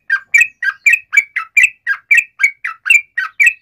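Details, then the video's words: Yellow-vented bulbul pouring out a lively trilled song meant to draw replies: evenly spaced, rich bubbly phrases repeated about three times a second without pause. "SUARA trucukan gacor ROPEL PANJANG pancingan trucukan agar bunyi"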